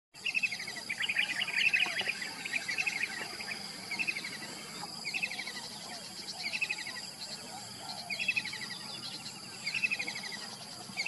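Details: Kingfisher calling in the morning: short bursts of rapid, descending chattering notes, each a quick series of sharp high pips, repeated every second or so, over a steady hiss of insects and other soft bird calls.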